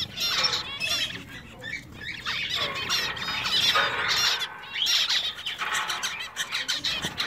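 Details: Several male zebra finches (Taeniopygia guttata) in a pet shop sing over one another, a busy mix of high buzzy trills, squeaky notes and nasal beeps, with no clear pauses.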